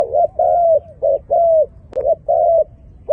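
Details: Malaysian dove calling: a run of clear, mellow coos near 600, alternating short rounded notes with longer level ones, roughly one every half second, over a quiet low background.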